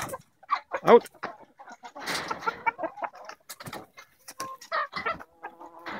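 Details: Hens coming out to feed in the morning at a farm in Melbourne, 20 February 2016, clucking and chattering in short irregular bursts with a few louder squawks, over scuffling and faint voices.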